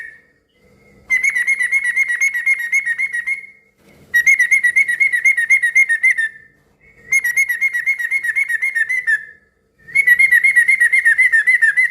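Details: Yellow-vented bulbul singing loudly to make other bulbuls respond: four long runs of fast, buzzy, evenly repeated notes, each lasting two to three seconds, with short silences between.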